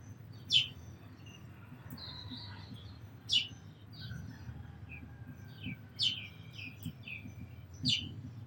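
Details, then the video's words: Sparrow calling with short, sharp, bright chirps at irregular intervals of roughly one to three seconds, over a low steady background rumble, with faint thin whistles from other birds in between. "Very Beautiful Birds & Sparrows Sounds"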